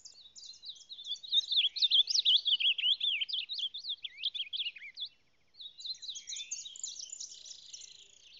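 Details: Reina mora, the ultramarine grosbeak, of the Salado, singing a fast, high warbled song of twisting chirped notes, a long sustained phrase, a short pause, then a second quieter run of notes.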